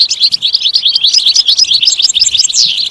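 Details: Loud, close European goldfinch song: fast, scratchy-liquid twitter of tumbling chirps, ending with a sharper downslurred note, used to encourage other goldfinches to sing.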